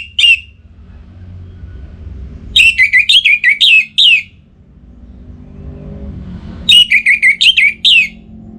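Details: A caged orange-headed thrush in breeding condition sings to call a rival. A single whistled note is followed by two bursts of six to seven fast, clipped, descending whistles several seconds apart, with faint low rumble between them.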